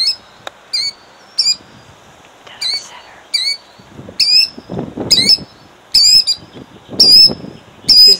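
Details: Female killdeer defending her eggs in Jackson, New Jersey, 2008: a run of shrill, high, slightly wavering cries repeated roughly once per second, growing louder, with rustling and scuffing low noises underneath.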